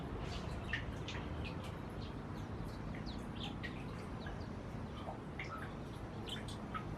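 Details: White-rumped munias eating seeds in Burma; thin, high chirps and short twittering notes scattered through the clip over a steady low rumble of background noise.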